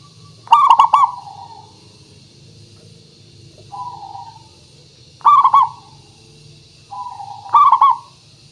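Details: Zebra dove cooing as a lure to get birds calling. Three loud rolled, stuttering coo bursts spaced several seconds apart, with softer drawn coos between them, suggesting more than one dove. Steady hum underneath.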